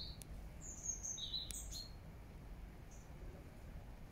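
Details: Birdsong in Regent's Park, London, September 2024: a quick pair of high, sharp chirps followed by a lower double chirp early on, then a faint single note, against a constant low urban hum.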